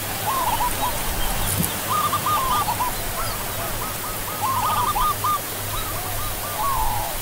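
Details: Zebra dove (Geopelia striata), known in Indonesia as perkutut or barred ground dove: soft, rapid stuttering coos in short rolling phrases, repeated several times against a steady hiss and a low hum.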